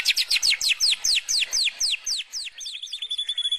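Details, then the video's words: White-rumped shama singing canary-like phrases: bold down-slurred whistles repeated about four per second, easing into softer, quicker notes and a thin, steady high trill at the end. "Tembakan Kenarian Burung Murai Batu Bongkar Isian"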